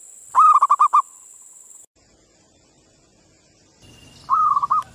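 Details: Local Indonesian zebra doves calling back and forth: a quick burst of about six clipped, throaty coos, a quiet pause, then a shorter answering run of staccato coos.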